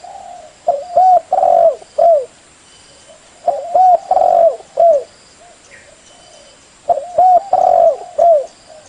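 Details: Spotted dove used as a lure bird, giving three similar phrases of deep coos, each a quick pair of short notes, then a long drawn coo and a falling final note. The phrases come roughly every three seconds over a faint background hiss.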